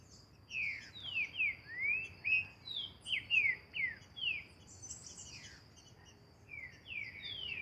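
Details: Green-winged saltator singing in nature during song training: a run of about a dozen clear, downslurred whistled notes, some rising, in quick irregular succession with short pauses. Faint higher chirps and buzzing from other birds or insects are in the background.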